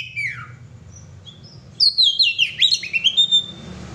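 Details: Kacer, the oriental magpie-robin, gives a descending whistle, then quiet, then after nearly two seconds bursts into rapid high twittering and sweeping whistled notes in gacor style, with low background hum throughout.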